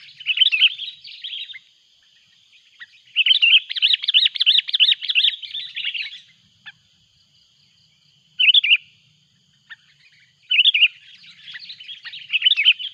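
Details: Sooty-headed bulbul calling loudly, with a rival approaching, recorded while luring birds in the mountains: long runs of rapid, bubbling warbled notes broken by short pauses and single sharp bursts.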